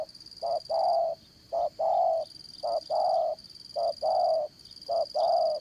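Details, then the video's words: Spotted dove trapping decoy with a Đồng Son voice: a steady rhythm of hollow coo pairs, a clipped note followed by a longer drawn-out one, five pairs in close succession over a thin continuous insect whine. "Bẩy Cu Gáy Dán Cổ, Giọng Đồng Son"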